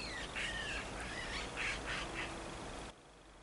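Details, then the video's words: Eurasian magpie giving a strange call, beside a construction site: odd run of squeaky, warbling and chattering notes, several rough syllables in under three seconds, over a steady background hiss. "ein seltsames Geräusch einer Elster"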